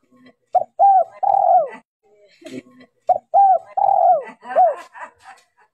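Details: A noise-reduced lure recording of a female spotted dove calling to stimulate males. Two phrases of short coos lead into a long croo that falls in pitch, with light rustling and clicks between and after them.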